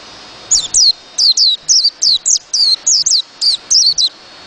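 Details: White-eye giving a quick series of thin, high whistled notes, each sliding downward, delivered in close pairs and singles at an uneven pace.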